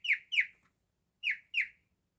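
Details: Captive male cockatiel copying a canary's song, giving two paired sets of clear, falling whistles, each pair closely spaced, with a silent gap of about half a second between the pairs. No other sounds.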